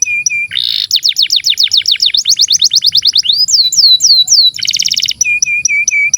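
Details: Canary song, long and continuous, played as a master recording to prompt young or silent canaries to sing: fast repeated downslurred whistles in quick rows, a dense buzzy trill, rising slurred notes, then another rattling burst and short chips.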